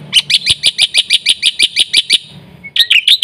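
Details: Full-isian gacor singing from a black-winged starling: a steady rattling train of about thirteen high, bright chip notes over two seconds, a short gap, then a tumbling burst of squeaky notes.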